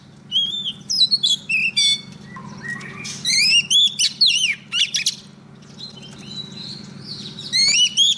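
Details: Singing female Oriental magpie-robin, a decoy meant to call in a male for trapping: repeated bursts of varied, loud whistles and squeaky upslurs across eight seconds, broken by short pauses, above a steady low hum.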